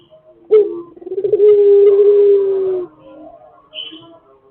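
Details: Pelung chicken crowing: a sharp onset, pulsing build-up, then a long, steady crow held for about one and a half seconds, ending abruptly, with a faint high chirp afterward.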